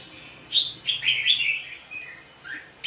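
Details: Red-whiskered bulbul, trapped in Vietnam while fighting, singing a bright warbled run of whistled notes, then softer single chirps.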